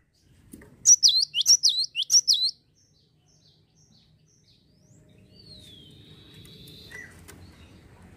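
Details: A Java sparrow, recorded as a lure to get other birds to sing, gives a quick run of about six loud, high, sharp chirps, then a faint thin whistle and a soft low background hum.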